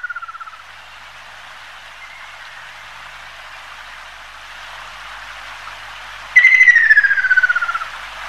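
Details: Ruddy Kingfisher (Halcyon coromanda), a migrant that occasionally passes through Taiwan, gives a loud, rolling trill sliding steadily downward for about a second and a half, against a constant soft hiss of background noise.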